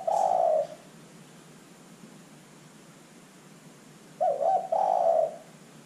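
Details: Spotted dove, calling vigorously and used as a lure to draw other birds into calling: a low, mellow cooing phrase at the start, then after a long quiet gap a broken, stuttering coo running into a longer smooth note.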